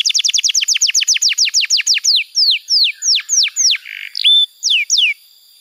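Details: Tutor song of a canary for young and non-singing birds: a fast series of descending notes slowing into separate long downward slurs, a brief rough buzz, a level whistle and two final falling sweeps.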